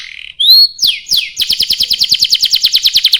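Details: Loud canary song meant to make other canaries sing: an upslurred whistle and downward sweeps, then a fast regular rolling trill of sharp notes.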